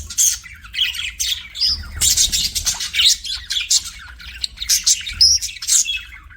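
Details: Pet budgies chatter loudly and continuously, a dense stream of high scratchy chirps, whistled slurs and squawks with barely a pause.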